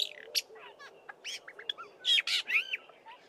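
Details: Black-bellied starling song laced with mimicry of Fork-tailed Drongo and other local birds; rapid mix of rasping bursts, slurred whistles and clicks, changing note type every fraction of a second.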